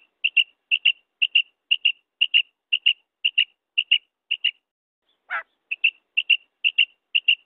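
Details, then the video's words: A single female common quail (madi batair) gives its kirk call, used as a hunting lure: high, thin double notes, paired chips repeated about every half second, with one brief, lower, scratchy note midway. "Female Common Quail sounds madi batair ki kirk new madi batair sounds مادی بیٹر کی آواز"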